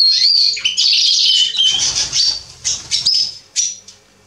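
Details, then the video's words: Male Atlantic canary song dated 27.10.2020: a loud opening of whistled and trilled notes, then shorter separated chirps that grow quieter, with a low rustling noise in the middle. "Kanariengililtz Männchen am Singen."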